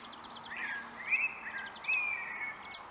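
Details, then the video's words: Eurasian blue tit calling angrily, apparently disturbed by being filmed, recorded on 12 April 2019; faint thin notes and short upward-sliding whistled calls repeated a few times over steady background noise. "Angry Blue Tit"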